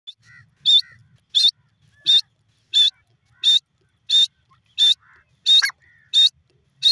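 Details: Grey francolin, a dakhni or irani teetar, giving loud, sharp, high notes repeated evenly about every 0.7 seconds, with faint low rustling between them.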